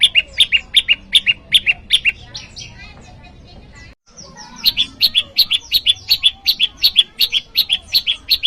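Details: Prenjak jawa, the Bar-winged prinia, giving its rival-challenging call for luring wild birds: rapid strings of high, clipped double notes, a short buzzy trill between bursts, then another quick run of chips.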